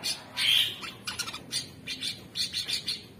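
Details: Orange-bellied leafbird, said to be super gacor, in a harsh phase of its modern 'materi' song: a loud rasping buzz followed by repeated scratchy, chattering bursts spaced about half a second apart.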